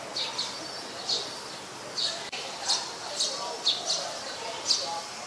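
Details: High, thin chipping calls of an Olive-backed sunbird, recorded at home on the afternoon of 25 March 2021; short bright notes spaced irregularly, about eight in five seconds, above steady background noise.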